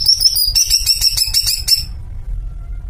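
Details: Greater green leafbird kept in a cage, shown in its 'melet' behaviour: a rapid train of sharp, high chipping notes repeated about eight times a second for nearly two seconds, then stopping, over a low steady rumble.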